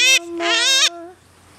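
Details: A five-year-old pet Yellow-collared Macaw singing with its owner: a short harsh screech, then a longer grating squawk laid over a woman's sustained singing of a spiritual.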